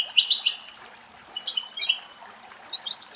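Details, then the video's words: Adult female European goldfinch at a forest spring in Greece while bathing; short bursts of high, chirpy twittering notes separated by brief pauses, faint trickle of water in the background. "Καρδερίνα η Γαρδέλι Κελάηδημα - Καρδερίνα η Γαρδέλι Κάνει Μπάνιο - European goldfinch song"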